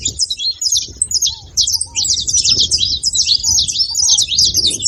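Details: Saffron finch pouring out a busy run of high, scratchy, tumbling chirps that speeds up toward the end, with a few soft lower whistles beneath.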